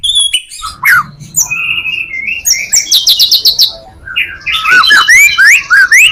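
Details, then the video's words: White-rumped shama singing a varied song meant to lure others of its kind: quick chips, slurred whistles and a buzzy burst of rapid notes, loud and close. "Murai batu full materi,cocok buat pancingan murai batu lainnya"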